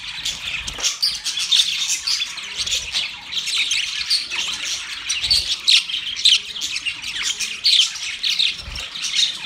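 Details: Budgerigar song during mating: rapid scratchy chatter punctuated by sharper whistled chirps about every second, with several birds calling over one another.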